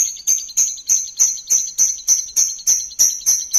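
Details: Champion lovebird singing as a lure: loud, harsh, ringing high notes repeated steadily about three times a second throughout, each with a buzzy tail.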